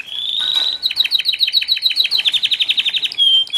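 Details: F1 canary being trained as a competition singer: a bright held whistle, then a rapid trill of about eight sharp notes per second, ending on another high sustained note.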